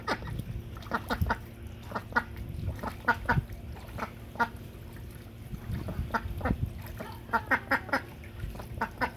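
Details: Loud noises from a duck playing with water on a farm: clusters of harsh quacks, several quick notes per burst separated by pauses of about a second, low splashing rumble underneath.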